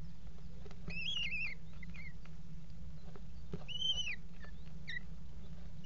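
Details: Eurasian kestrels mating on the edge of a nest box at a water tower in February 2018; two separate arched, wavering whining calls a few seconds apart, a brief chirp at the end, and constant low hum.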